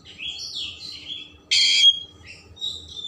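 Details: Oriental magpie-robin with a rich mimicry song meant to stimulate emotion and tail opening: soft warbled high notes, a loud harsh rasp lasting a fraction of a second, then thin quiet whistles.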